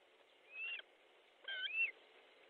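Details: An osprey at its nest in Estonia, midday on 14 July 2014, calls while a fish is brought in: loud, clear whistled notes, a rising-falling slur followed by a stacked pair of bright whistles ending in an arched note.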